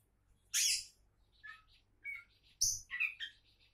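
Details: Champion-candidate Oriental magpie-robin giving loud harsh rasping bursts alternating with clear whistled and chirping notes in uneven phrases. A faint low hum runs underneath.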